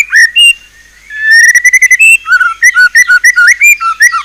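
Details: Song of a white-rumped shama, known locally as murai batu: varied whistled notes, a short pause, then a brisk string of clipped whistles alternating in pitch, loud and close.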